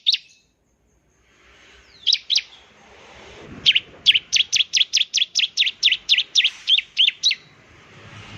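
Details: Bar-winged prinia singing in an energetic style, used to lure other prinias into song: after a few scattered notes, a fast series of sharp, high, dipping chip notes repeated about four per second over faint background hiss.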